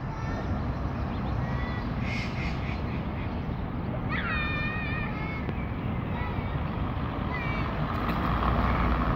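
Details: Mallard (Anas platyrhynchos) ducklings of this year's brood, two yellow and four wild-coloured, give a few thin, high peeps, some rising with a clear ringing tone, over steady city traffic roar in Ludwigshafen am Rhein, at Rathaus Center.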